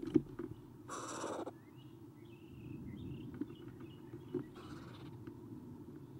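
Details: Eastern screech owl owlets, three together in a nest box, morning of 30 April 2016: two breathy, harsh rasps several seconds apart, faint whistled birdsong from outside between them, a sharp knock at the start, and constant low hum.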